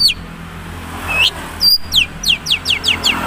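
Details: Madura long-tailed shrike singing in its original voice, few learned phrases: a few scattered high whistles, then a quick run of six descending slurred notes, against steady low hiss and rumble.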